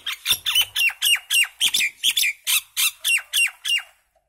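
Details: Common myna (Indian maina) singing a steady string of about fourteen harsh, grating squawks, each ending in a downward slide, delivered roughly three to four per second before stopping abruptly.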